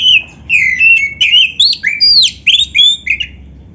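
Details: Loud, clear Oriental magpie-robin song in champion 'isian' style, meant to trigger quick answers from other magpie-robins; a sequence of varied whistled phrases, some rising sharply, others dropping, separated by short pauses.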